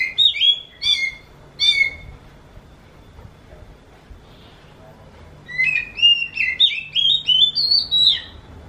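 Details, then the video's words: Oriental magpie-robin song likened to a kitten meowing: three clear, slurred whistles that drop in pitch, then a pause, then a quick run of rising and falling whistled notes climbing higher. "burung kacer ini suaranya mirip seperti anak kucing"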